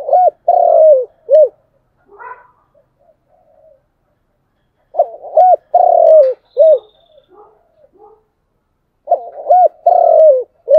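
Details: Spotted dove cooing in the styles called chiêu and thúc, three similar phrases of short hollow coos and a long falling coo, separated by gaps of about three seconds with faint rustles.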